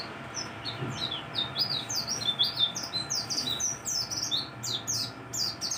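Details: Morning song of a mountain white-eye, with quick, high, twittering notes in a busy jumble of short downward slurs and chips, against a constant low background hum.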